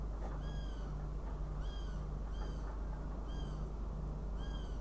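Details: In Riga on 29 June 2016 a northern goshawk gives about five short, descending, overtone-rich calls at roughly one-second intervals over persistent low droning noise.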